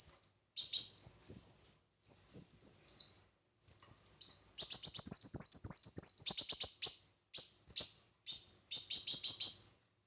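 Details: Red-whiskered bulbul in a singing contest, opening with slurred whistles that rise then drop, followed by a long fast sequence of sharp repeated chirps and short bright phrases.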